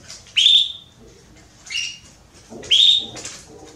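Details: Female Belgian canary calling for mating: three sharp chirped notes, the first and last loud and rising, a softer one between, spaced over nearly four seconds.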